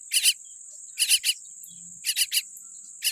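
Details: Tiny baby common myna with a weak beak giving three rapid clusters of three scratchy notes within about three seconds, against a steady high-pitched whine.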